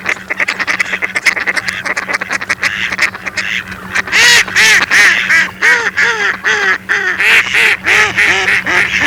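Mallards quacking, at first soft and scattered, then loud harsh quacks in rapid uneven runs of about three per second from several birds.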